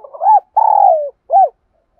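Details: Decoy spotted dove cooing to draw in and provoke wild rival doves, in the 'thổ' voice. There is a short rising-falling note, then a long, strong coo gliding down in pitch, then one clipped arched note.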